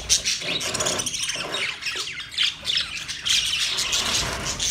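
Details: Several budgies, the small Australian parrot, chatter continuously in rough squawky chirps and quick rising and falling twitters, steady throughout with no clear pauses.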